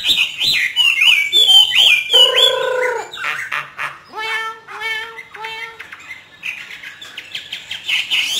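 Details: Caged hwamei from northern Vietnam singing in the hót thả free style: bright whistled slurs, then lower, steady, held tones, a few repeated short notes, and more high warbling at the end.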